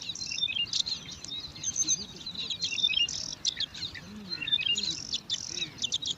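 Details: At a nest in alang-alang grass, five young bar-winged prinias compete for food, giving a continuous tangle of high thin chirps and squeaky trills, softer in the middle and swelling again toward the end.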